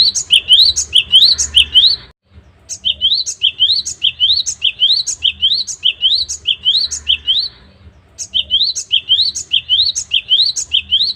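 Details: Great tit (gelatik batu) in lively, persistent song, used as a master recording for training caged songbirds; high, clear two-note phrases rise sharply and repeat rapidly in runs, with a short pause near two seconds and another near eight.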